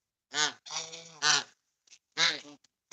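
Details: A young domestic goose, recorded on a rainy 26 February 2023, gives loud, nasal, rasping honks, about four within three seconds, some clipped and some drawn out, calling insistently and desperate for attention.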